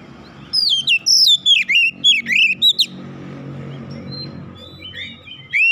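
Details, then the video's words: Oriental magpie-robin (kacer) stirred into aggressive challenge by a rival, unloading its mimicked fill; a tight burst of loud, swooping whistled notes over steady low background noise, then quieter scattered notes. "sekali pancing Kacer lawan langsung gertak naik emosi bongkar isian"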